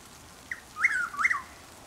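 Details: Dawn call of a Chuck-will's-widow in Lake Placid, Florida, on 12 April 2023 around 6:20 am: one clear whistled phrase, a short note, then a rolling two-part ending, against light rain hiss.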